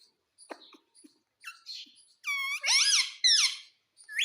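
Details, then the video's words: Talking Indian ringneck parakeet mimicking the word "mummy": a few faint clicks and squeaks, then loud harmonic, wavering vocal syllables in quick succession near the end, with thin high chirps in the background. "MUMMY BOLNE WALA TOTA - BOLNE WALA TOTA - TALKING PARROT"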